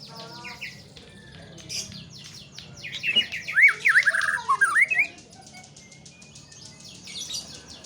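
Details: White-rumped shama singing a two-second phrase of bright, zigzagging whistled notes amid a busy chorus of fast, repeated high chirps from other birds.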